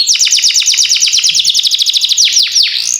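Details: Canary singing a fast rolling trill of sharp downward-sweeping notes, around eight per second, slowing into a few longer slurred whistles; meant to spur other canaries into song.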